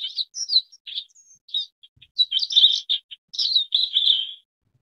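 Forest wagtail giving high, squeaky chirps and short twittering phrases in quick bursts over about four seconds, with no other sounds.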